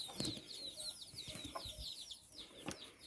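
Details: Hen walking with her nine chicks in Bizkaia, Basque Country. Rapid high peeps slurring downward pour out in a steady chorus, with a few dull low knocks and thumps in the background.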